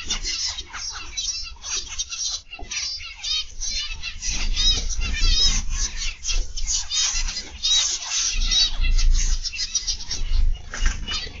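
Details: Zebra finches kept in an aviary, recorded on the afternoon of 31 August 2021: dense overlapping nasal, buzzy chattering from many birds, with short stacked notes high in pitch, over a steady low rumble.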